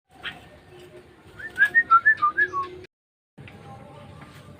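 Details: Sooty-headed bulbul singing a run of about seven clear whistled notes that step up and down, after a short introductory chirp, with low background rumble and a brief silent gap.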